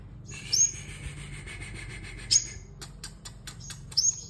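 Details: Sunbird singing competitively: three loud, sharp, high-pitched notes with upward flicks about 1.5 to 2 seconds apart, joined by thin twittering and, toward the end, spaced dry clicks.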